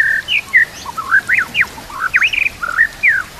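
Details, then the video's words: White-rumped shama training song, loaded with kapas tembak and canary phrases: a string of clear whistled notes near mid pitch, some rising or falling sharply, with short slurred phrases, fairly clean background. "MASTERAN MURAI BATU ISIAN KAPAS TEMBAK KENARI CILILIN"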